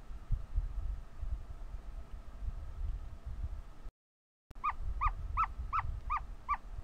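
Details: Ostrich chick calling while hatching: after low rumbling background and a brief gap, a run of short, clear, downward-curving peeps repeats about three times a second.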